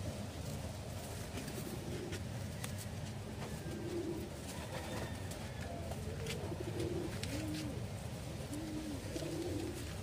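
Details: Loft pigeons giving low, arched coos, several in a row over the last six seconds, above a steady rumbling background noise.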